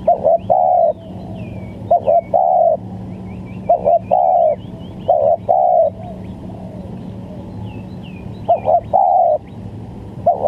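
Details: Spotted dove cooing as a lure for trapping: low, hollow coo phrases of two or three notes, repeated every few seconds, with faint high chirps of other small birds and a steady low background hum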